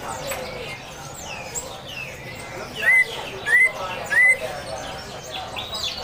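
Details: Greater green leafbird singing in the harsh besetan style over a gently trickling water backdrop: three loud upward-sweeping whistles about half a second apart, with fainter chirps and twitters throughout.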